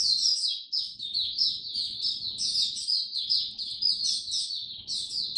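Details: Oriental white-eye, a hobby bird fed an adjusted diet for cold, rainy weather in October 2022, delivers an unbroken stream of high, fast, tinkling chirps and warbles throughout, with a soft low background rumble.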